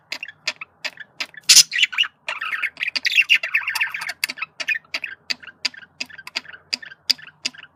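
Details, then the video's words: Male budgerigar giving its communication sounds: a busy chatter of clicks and short harsh notes, then a long buzzy warbled run with rapid ticking strokes continuing throughout. "sonido de comunicación de periquito macho /sonido de perico australiano/periquitos australianos"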